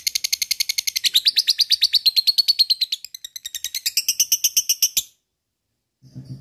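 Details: Lovebird; long chatter; luring and provoking other lovebirds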